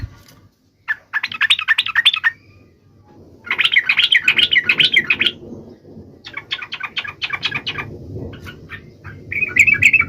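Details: Sooty-headed bulbul chattering in repeated bursts of quick, warbling notes, meant to spur other trucuk birds into song, with a steady low rumble of background noise underneath.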